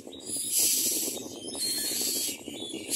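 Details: Common myna feeding its young at the nest, putting small food into the chicks' mouths; two long, harsh, breathy hissing rasps, the second slightly shorter, over steady low rustling and shuffling.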